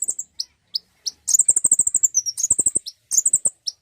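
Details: Common iora song for prompting a bird to sing: a few spaced high notes, then a dense fast rattle of sharp chirps with a high ringing trill, and more quick notes at the end.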